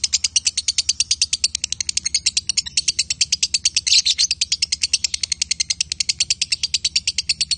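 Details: Pair of lovebirds, male and female, keep up a long continuous high chatter of quick scratchy pulses, steady in pace, with one louder note near the middle.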